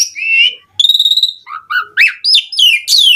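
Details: Javan pied starling in lively, pumping song, used as a lure for other starlings: a clear whistled slur, then a rapid buzzy stutter, low fluted notes, and rising whistles ending in high, ringing phrases.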